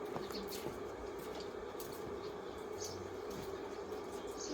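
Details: Steady broadband rumble with a constant hum, like the inside of a moving vehicle or train, and no animal voice.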